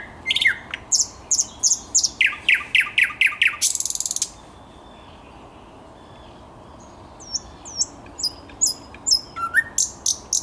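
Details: Singing thrush nightingale recorded 10 May 2021, giving loud repeated hooked notes ending in a dry rattle, a silent gap, then a fresh phrase of thin high whistles and sharp ticks.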